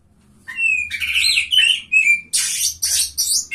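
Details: Oriental magpie-robin from a bird singing contest, third-place winner, opens with clear whistles, then switches to loud, raspy, buzzing bursts in quick succession over a faint low hum.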